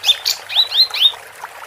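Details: Female capped white-eye, recorded as training audio for competition birds, giving a brief series of four or five thin, high, upslurred chirps in quick succession, then fading.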